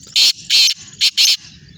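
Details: Black francolin calling in Sindh, Pakistan: four loud, harsh, grating notes within about 1.2 seconds, alternating long and short, the second long and buzzy, with a faint low rumble between the notes.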